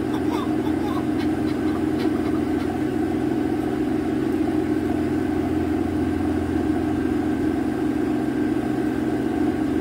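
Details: Continuous low engine drone of a running vehicle with faint voices, and no animal calls.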